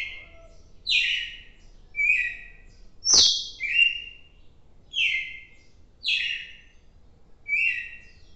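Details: Red-cowled cardinal recorded on 4 December 2023. It sings short, clear, slurred whistled phrases that drop in pitch, about one per second. A single sharp click sounds midway against a quiet background.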